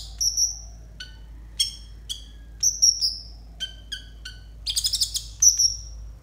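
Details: Konin song meant as a training recording for young konin: long high whistles mixed with short descending chirps, a quick trill of sharp notes near the end, about 23 phrases a minute, faint hum behind.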